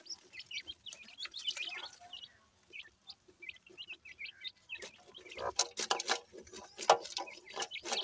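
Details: Pair of young dakhni teetar francolin chicks giving many short, high, downslurred peeping chirps in quick irregular bursts, later joined by sharp clattering knocks and rustling.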